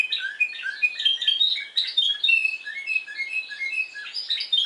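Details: Discontinuous-style song of a Spanish timbrado canary recorded on Madeira, Portugal: bright, ringing whistles and chirped notes, broken into short, distinct bursts with brief gaps.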